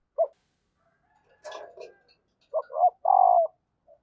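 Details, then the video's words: Female spotted dove giving a call meant to get lazy males cooing: two short low coos then one longer, slightly falling coo near the end, after an isolated note and some scratchy broadband sounds. "tieng cu mai kich trong"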